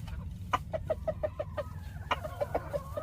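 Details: Chickens making a strange noise: a quick series of short, sharp clucks, about a dozen notes in three seconds, with a louder accented note starting each burst, over a low steady background rumble.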